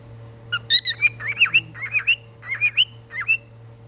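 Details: Cockatiel uttering loud, bright chirps in small clusters, each note a curving whistled sweep upward then down, some slurred into warbling pairs, about a dozen notes in under four seconds, with a faint steady hum behind.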